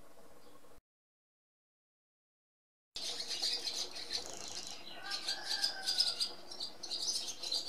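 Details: Barn swallow chatter resumes after a brief silent gap, with quick high scratchy twitters and chirps repeated about three times a second and a faint lower tone behind.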